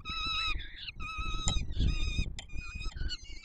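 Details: Feeding time for peregrine falcon chicks at the Palace of Culture and Science, Warsaw, 7 July 2022, the adult male bringing food; clear nasal, wailing calls held about half a second each, repeated steadily, with low background rumble.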